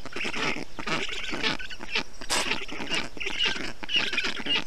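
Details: Young black storks in an Estonian nest, 20 June 2021, being cooled by a parent bringing water, moss and wet grass during hot weather; a steady stream of rasping, wheezy chick calls with a few higher squeaky notes.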